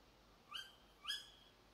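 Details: Tawny owl behind a house at 4 a.m., giving two short, shrill rising calls about half a second apart against a quiet night background.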